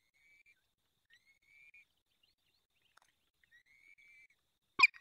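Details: Peregrine falcon at its nest in the Barycz Valley, Poland, during the fifth feeding on 23 April 2020 at 19:28. Sparse, thin, high whistled whines, some drawn out, end with one sharp loud click.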